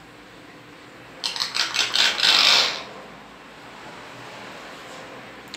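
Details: A brief burst of quick rattling, clinking noises over a faint steady hiss, with no clear animal voice.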